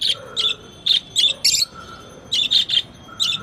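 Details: Lovebirds giving loud, high chirps in short bursts of two or three, harsh and bright, separated by brief pauses, with a steady background tone that comes and goes.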